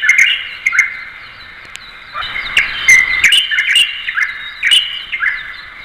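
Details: Light-vented bulbul, a common bird of parks, gardens, orchards and lowland woods in East Asia, with several short chirping and warbled notes scattered over steady background hiss and other faint bird twitters.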